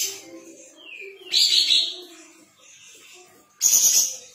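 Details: Sooty-headed bulbul, tail spread, singing vigorously: a falling whistled slur leads into a rough buzzy phrase, a quiet pause, then a sudden loud harsh burst.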